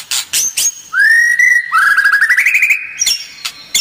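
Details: White-rumped shama song meant to stir other birds: a few sharp clicks, then two long rising whistles, the second drawn out with a rapid trill, followed by more scattered clipped notes.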